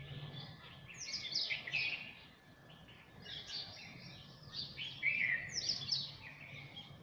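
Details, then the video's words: Birds singing in a garden in the early morning: bursts of bright, rapid twittering and chirping phrases, some high and tumbling, others lower and warbled, with brief pauses between phrases over a faint low hum. "Song of Birds"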